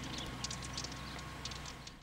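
Lesser Whitethroat giving dry, gentle clicking 'tek' notes, a quick uneven series of about nine ticks in two seconds over a low steady hum.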